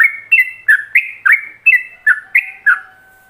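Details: Yellow-vented bulbul delivering a fast ropelan phrase used as a model for other bulbuls to learn: bubbly whistled notes, roughly three per second, alternating higher and lower pitches, ending on a fading held tone.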